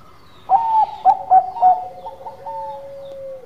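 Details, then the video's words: Zebra dove of the Bangkok perkutut type singing keenly: after brief quiet, four punchy hollow coos spaced roughly a quarter second apart, followed by softer coos and a long, sustained, slightly descending tone to the end. "Perkutut Bangkok Gacor Manggung"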